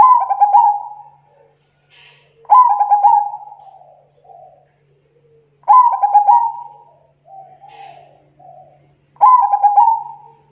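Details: Zebra dove (perkutut), local bird for lure trapping, delivering loud rolling coo phrases about every three seconds, each a quick stutter of notes sliding into a fading drawn-out tone, with soft low coos between.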